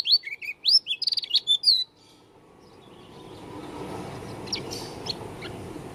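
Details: Lombok dakun white-eye with an odd-sounding song: about two seconds of bright, quick chirped and slurred whistles, then the bird falls silent and only rising background hiss with a few faint distant notes remains.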